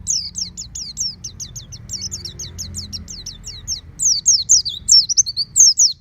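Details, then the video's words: Oriental white-eye kept at home, encouraged to sing 'ngeplong' with its beak wide open: a continuous flow of high, sharply downslurred notes that grows louder and more jumbled toward the end; low hum underneath. "Terapi Pleci Rumahan Agar Cepat Bunyi Ngeplong Full Buka Paruh"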